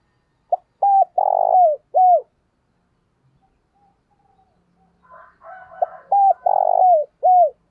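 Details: Spotted dove kept as a decoy, cooing to lure other doves: two bursts of mellow, low coos, each a quick run of rounded notes with a longer middle note ending in a falling slur, split by a near-silent pause.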